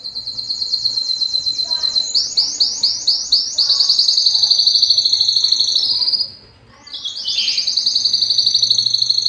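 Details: Belgian canary song: a run of repeated high notes, rhythmic pulsed phrases and a sustained rolling trill, a short silence, then the trill resumes with a rising flourish.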